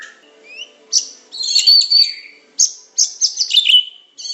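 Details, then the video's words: Medan white-rumped shama song used for training other birds, with bursts of high, scratchy, buzzy phrases and sharp whistled strokes separated by short pauses. "Materan burung murai batu medan super-pancingan macet-tembakan-isian"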